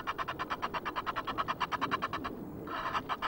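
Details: Noisy Egyptian geese recorded on 5 March by a wildlife webcam at Loch of the Lowes, Scotland: a rapid run of harsh, pulsed cackling notes, about three per second, pausing briefly before resuming.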